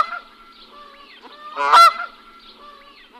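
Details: Goose calling, with one loud, brassy, harsh honk in the middle, set among softer, lower nasal calls and faint background chatter.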